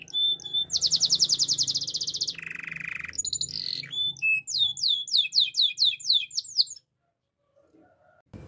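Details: Canary training song: a loud fast high roll, a lower buzzy trill, then a run of repeated falling whistled slurs, followed by near silence.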